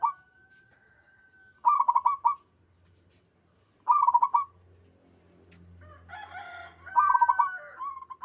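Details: Local wild zebra dove singing steadily while other doves answer: several short, bubbling coos at a middling pitch, each a quick run of rolling pulses under half a second, with a faint background murmur and a rougher, mixed sound near the end.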